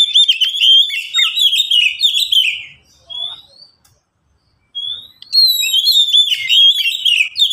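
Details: Caged Oriental magpie-robin, among three birds replying to one another, recording meant for teaching and luring birds; long warbled whistled phrase, a short rising whistle, a pause of nearly two seconds, then another rising whistle and warbling.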